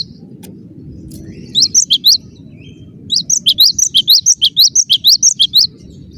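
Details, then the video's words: Dense song of a cinereous tit: a short cluster of high chirps, a pause, then a long, even run of about fifteen quick, bright, upslurred notes, with a low hum underneath. "Suara rapat +GACOR banget, gelatik batu gacor"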